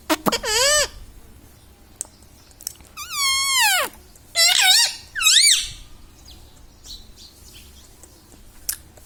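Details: A talking pet parrot imitating human speech, including words like "Mummy" and "Papa". Four loud, drawn-out, wavering voiced phrases with gaps between them, the longest sliding down in pitch, over a low indoor background.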